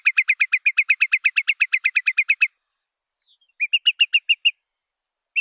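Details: Curlew calling in a lure recording: a long, even series of quick whistled notes, a pause, then a shorter burst of five or six similar notes. The background is clean.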